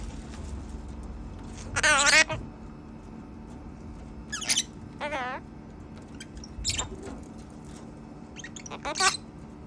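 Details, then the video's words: A talking macaw mimics human speech in a few short, strained, wavering bursts spread over several seconds, with quiet room noise between them. "Talking parrot"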